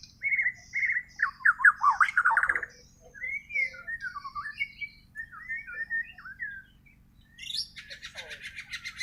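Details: Untutored natural song of a white-rumped shama from Borneo: a burst of loud fluty whistles, then looping mid-pitched phrases, ending in a dense high buzzy trill after a short pause.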